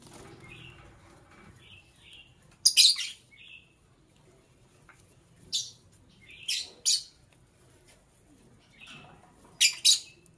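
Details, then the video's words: Lovebird heard in the morning giving scattered, piercing screechy chirps, singly or in quick pairs, separated by pauses of several seconds, with soft lower twitters in between. "Sweet Lovebird Sounds - Chirping Sounds"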